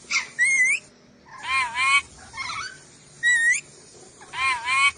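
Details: Sulawesi ornate lorikeet, masteran track, alternating piercing rising squeals with loud buzzy wavering screeches, about four calls spread evenly across five seconds.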